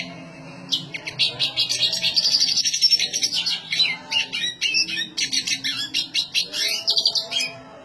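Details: A black siskin delivers a long, lively high-pitched song of rapid twitters, buzzy rattles and squeaky notes, pouring out almost without pause for about seven seconds.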